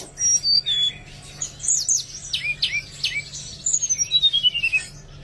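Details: Oriental magpie-robin song for prompting reluctant birds to sing: clear descending whistles, a run of upward-sweeping slurred notes, then a fast series of descending chirps.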